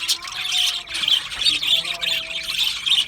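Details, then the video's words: Budgies chattering in a group, bursts of high, grating chirps pulsing roughly every half second, with thin sustained whistled tones running lower beneath the noisy chorus. "Australian Budgie parrot chirping sounds | beautiful Budgie birds sounds"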